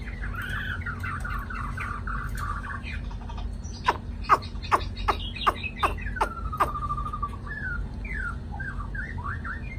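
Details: A newly caught wild white-browed laughingthrush, which has just started singing in the afternoon, gives a run of chattering notes, then several sharp clicks and short whistled phrases, over a steady low hum.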